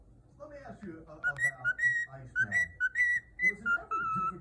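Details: A pet cockatiel whistles the 'Elmo's World' tune in clear, bright, repeated notes.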